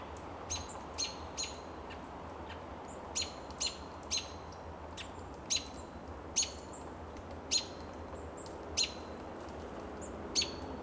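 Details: At dusk in March 2024, an American robin perched on a lichen-covered Coast Live Oak in Del Monte Forest, California, repeats brief piercing high call notes roughly every one to two seconds against a constant low background hum.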